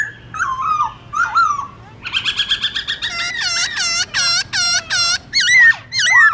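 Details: Black-throated laughingthrush giving its morning forest-style song, meant to train young birds: opening slurred whistles, a quick stuttering trill, then a string of loud looping, bell-like notes and final downslurred whistles.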